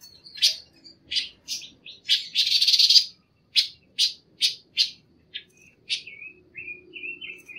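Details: A Panca warna bird, recorded as training audio for other birds, sings a bright, high song of sharp chirps about twice a second, with a buzzy rattle in the middle and softer, slurred whistles at the end.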